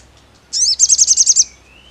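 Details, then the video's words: Sogon song: a sharp, high opening note runs into a quick series of about seven repeated high chirps within one second. A faint rising whistle follows against a quiet background. "99% Nyaut SOGON MANAPUN DENGAR SUARA SOGON INI"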